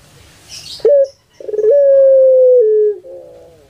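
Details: Puter pelung turtle dove, a kept bird famous on Java, Indonesia, cooing at a cooing concert: a short clipped note, then a long steady drawn-out tone that steps slightly lower, ending on a softer, lower harmonic note.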